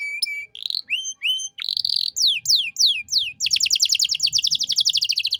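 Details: Canary singing a 'cengkok mewah' master phrase for training birds: flat whistles, rising notes, sweeping downslurs each about half a second, ending in a long, very fast metallic trill.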